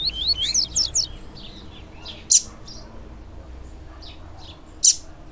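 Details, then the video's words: Female papa-capim (double-collared seedeater) calling to stir up males: a quick run of wavy, whistled high notes at the start, then sparse thin chirps and two sharp, loud notes roughly two and a half seconds apart. "Melhor Piado de Fêmea de Papa capim Para Esquentar Papa capim"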